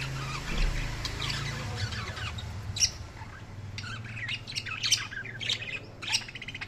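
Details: Budgerigar chirping, with clusters of sharp squeaky chirps and warbles, rising toward the end, against a constant low hum.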